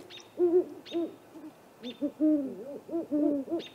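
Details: Great horned owl pair visiting a great gray owl snag tree nest at 8:50 pm on April 21, caught by a nest camera; bursts of short arched hooting notes overlap unevenly, with thin high ticks recurring about every second.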